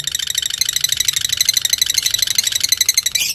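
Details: Lovebird of fighter type as a singing lure for another lovebird: an unbroken, metallic high-pitched chatter of fast repeated pulses, with faint low background rumble.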